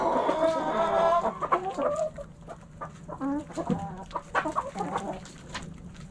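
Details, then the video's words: A backyard hen flock: a drawn-out harmonic squawk opens, followed by rapid, irregular clucking from several chickens over a low constant hum. "Backyard Chickens Fun Relaxing Video Sounds Noises ASMR Hens Clucking Roosters Crowing!"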